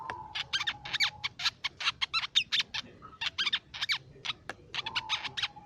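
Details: Lure song of the crimson sunbird for songbirds: fast, sharp, high twittering notes follow one another almost without break, some with quick upward flicks, beside a level lower whistled tone at the start and end.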